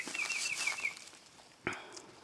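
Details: A Baltimore Oriole hidden up in a tree gives a quick run of five or six short, slurred whistled notes, then goes quiet; a sharp knock sounds nearby.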